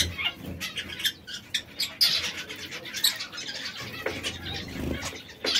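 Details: Three kept canaries in red, yellow and brown, given to occasional squabbles. Short high chirps and twittering phrases arrive in quick bursts, with a few louder sharp notes.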